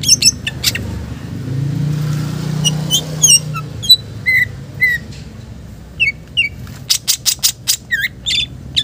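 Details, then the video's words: Green leafbird song, loud and persistent, with rich Muzarab-style phrases, used as a lure and tutor recording: sharp chirps, slurred whistles and squawky notes, then a fast burst of loud repeated notes near the end over low traffic rumble. "Cucak ijo gacor Bongkar isian mewah Muzarab buat Pancingan dan masteran"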